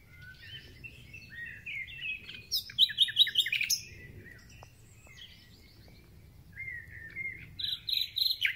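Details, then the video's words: Spring song of a thrush nightingale: rising whistles building into a fast, loud stuttering run of repeated notes, a pause, then further high chirping phrases. "Słownik Szary koncert na całego to znak że zaczęła się wiosna"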